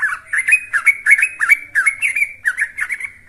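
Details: Young yellow-vented bulbul singing tirelessly, used as a lure to provoke other birds into singing: a fast, bubbly run of warbled mid-pitched notes, roughly three per second, continuing without pause.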